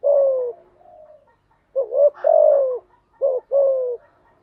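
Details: Training song of a spotted dove for newly caught birds: a long falling coo, then phrases of short rising notes followed by drawn-out downward coos, mellow and hollow.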